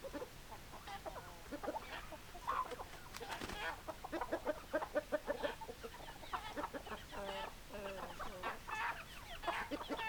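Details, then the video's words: Many hens cluck together in a busy flock, dense overlapping short notes with rising squawks, steady murmur throughout. "Chicken Sounds Noises Hens Clucking Roosters Crowing"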